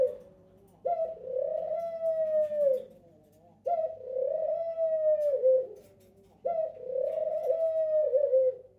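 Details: A male pied ringneck (Barbary) dove calls out to his mate with long, smooth coos, each held about two seconds.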